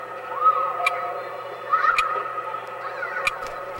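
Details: In May, a female common kestrel incubating six eggs in a flower-pot nest on a Seoul apartment balcony calls to her mate out hunting: drawn-out, whining, nasal calls in two or three bursts about a second apart, over low hiss and sharp clicks.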